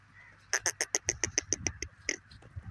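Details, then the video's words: Francolin call given before another francolin: a quick run of about ten sharp, evenly spaced notes at roughly seven per second, then a short pause and one more note, with low rumbling noise underneath. "teetar k agay teetar ki awaz"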